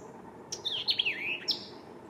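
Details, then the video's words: White-eyed vireo in McDonough, Georgia, in May 2023, singing one brief phrase: a sharp high note, then a quick warbled run of slurred whistles dipping lower, ending with another sharp high note. "White Eyed Vireo"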